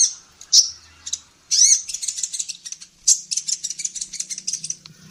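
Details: Female kolibri ninja sunbird singing to train songbirds: a few sharp high chirps, then dense, rattling trills of rapid high notes.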